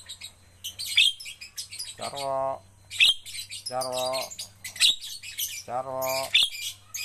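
A Javan myna gives harsh, squeaky chattering bursts, while a man's voice repeats a word three times over a low steady hum.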